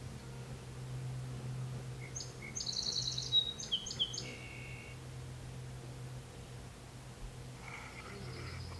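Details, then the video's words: Song Sparrow singing along a lake shore while a ruby-throated hummingbird dodges a wasp at a nearby feeder: two soft opening notes, then a quick run of sharp repeated high notes ending in a lower buzzy trill, over a steady low hum. "A song sparrow sings along the lake shore"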